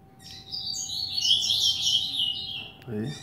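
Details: Eight-month-old male rusty-collared seedeater kept at home pours out a dense, rapid, twittering song phrase of high notes, with a faint hum and a brief human voice near the end.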